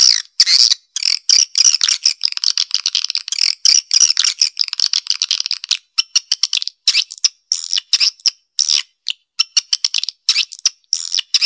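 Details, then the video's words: Swiftlet call-lure sound: dense, buzzy, high twittering bursts repeated rapidly in short clipped runs with brief silent gaps and no other sounds. "Suara Panggil Walet"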